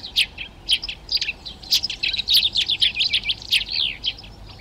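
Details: Eurasian tree sparrows occupying nest boxes in a garden in Přerov, Czech Republic, on 19 March 2020: a dense, lively run of sharp chirps and chattering notes, with chaffinch, serin, hawfinch and dunnock singing in the background.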